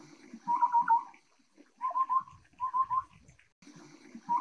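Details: A Taiwan Scimitar-Babbler (Pomatorhinus musicus) gives short, mellow, hollow-sounding phrases of quick notes, repeated about once a second, over a faint low background rumble.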